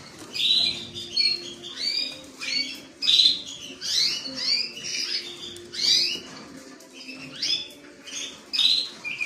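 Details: A creamino canary sings repeated short phrases of sliding, chattering notes, roughly one burst every half second, bright and high-pitched with a soft hum beneath.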